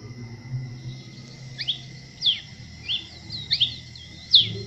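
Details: Masked cardinal, a species resident in Colombia, Venezuela and Trinidad and Tobago, giving short, sharp chirped notes that sweep down and up, spaced irregularly, with a steady high hum in the background.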